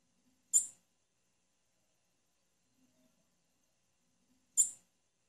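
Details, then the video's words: A female blue-black grassquit gives two short, very high, sharp chips about four seconds apart, with near silence between them. "Piado de fêmea de tiziu"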